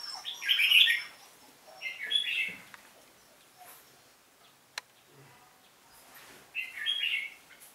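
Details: Red-whiskered bulbul in competitive singing: short bursts of rich warbled phrases at about 0.5, 2 and 7 seconds, separated by quiet gaps with a faint click.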